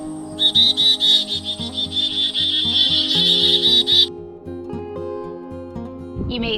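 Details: Black-capped Chickadees calling in winter give rapid, buzzy, high dee notes for about four seconds, repeated more than twice a second, over soft background music.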